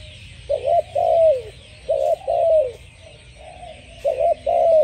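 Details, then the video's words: Spotted dove song of soft, low coos in three phrases. Each pairs a clipped stuttering note with a long descending coo, and a fainter phrase sits in between. Steady background hiss. "spotted dove singing"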